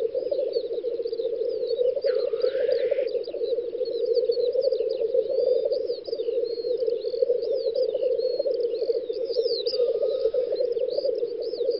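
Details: Spring-field lek of black grouse, Volga federal district, Russia, May 2019: an unbroken bubbling, gurgling drone dominates, with two breathy hissing sneezes and scattered faint chirps from other birds.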